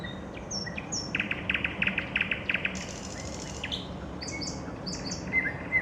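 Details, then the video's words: Nightingale singing in the evening, a rapid train of strong repeated notes followed by a softer pause, amid high sliding whistles of other birds and low steady noise. "Вечернее пение соловья"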